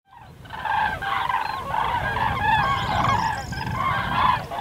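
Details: Common crane: loud, trumpeting, rolling calls repeated in bursts of several notes, overlapping voices, with low rumbling background noise.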